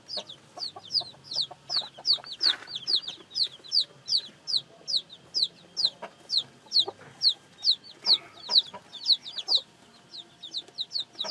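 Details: Newly hatched chicks peeping: rapid, high, downslurred cheeps repeated about twice a second in a steady stream, several chicks overlapping, with faint clicks and knocks in the background.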